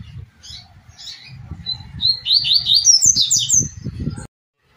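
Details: Double-collared seedeater singing a tui-tui song, a quick run of high, clipped whistled notes that build into a rapid, buzzy trill, with a low rumble underneath.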